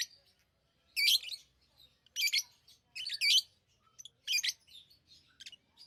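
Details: Chirping lovebirds: four or five strong, shrill, scratchy bursts about a second apart, with quieter twitters trailing off at the end.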